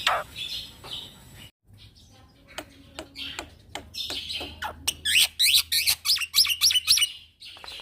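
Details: Young male Black-winged myna singing continuously in the rolling 'ngeroll' style, kept as a master song for training other birds: harsh chattering notes, a brief pause, then a fast run of sharp, high chirps at about four per second.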